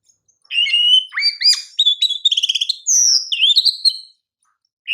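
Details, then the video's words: Champion Oriental magpie-robin (kacer) as a training master: clear sliding whistles, rapid pulsed chirps and a high sustained whistle run together for over three seconds, then silence and a fresh note at the end. "KICAU KACER JUARA PALING PAS UNTUK MASTERAN KACER"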